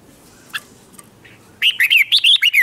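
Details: Red-whiskered bulbul, a newly caught bird, singing to provoke rivals into competitive song. After a quiet start with a few faint clicks, a loud run of about seven bouncing, warbled whistles follows.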